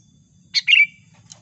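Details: Sooty-headed bulbul lure sound used for bird trapping: a short burst of bright chirpy notes, then a longer warbled phrase ending in a thin whistle, followed by one faint chirp, over a low background hum.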